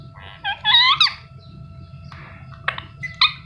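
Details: Chirping from an Indian ringneck parakeet, a pet bird: one drawn-out, upward-sweeping harsh squawk, followed by shorter clipped chirps and sharp clicks, with a constant electrical hum in the background.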